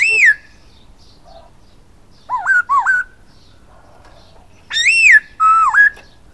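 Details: Whistled song of a silver-eared laughingthrush: an arched falling note, a pair of wavy rising whistles, then a loud arched note followed by a level whistle that dips and climbs back.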